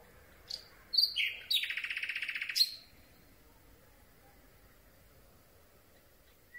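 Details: Close nighttime recording of a Common Nightingale: a few sharp high notes lead into a loud, buzzy, fast rattle lasting about a second, followed by quiet and a lone soft note.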